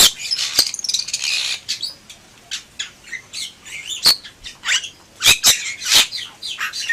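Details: Bali myna (Leucopsar rothschildi) singing gacor-style, opening with a dense rasping chatter, then varied harsh notes and short whistles, ending in loud squawky bursts.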